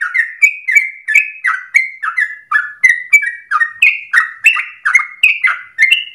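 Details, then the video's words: Yellow-vented Bulbul (trucukan) singing in the vigorous, long rapid 'gacor dor ropel panjang' style, used as a tutoring lure for captive birds: a continuous stream of bubbly, slurred notes, each dropping then lifting, about seven per second, with no other sounds. "Trucukan gacor dor ropel panjang"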